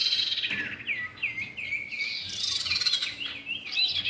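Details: Common iora, male and female, in a lure recording: a series of short curling whistles, each dipping and rising, repeated about three times a second, then a busier chattering passage.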